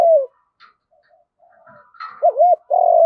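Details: Lure spotted dove in the field-voice style: a brief descending coo opens, quiet murmurs and a scratchy higher sound follow, then a wavering double note leads into a sustained coo.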